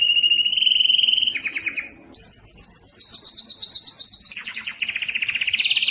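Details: Strong canary singing for tutoring young birds and stimulating males and females: a steady rolling trill, then a sharper high trill and a long fast rattling roll, ending in a dense lower warbling trill.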